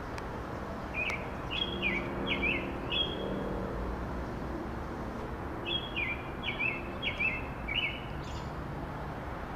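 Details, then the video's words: In a Chicago tree near a library, a spring American robin sings two runs of about five quick whistled phrases each, separated by a few seconds' gap, against a continuous background of city traffic noise. "The First Robin of Spring, Singing"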